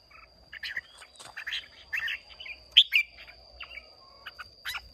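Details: Hòa Bình Red-whiskered bulbul, a newly caught bird, in contest song recorded 30 May 2023: a busy run of bubbly chirps and slurred whistles, loudest midway, with light background rumble and a high constant whine.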